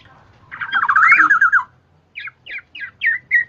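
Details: A lure recording of the Black-naped oriole used for trapping. A rapid, wavering warbled phrase is followed by a row of short, sharp, downslurred whistles about three per second.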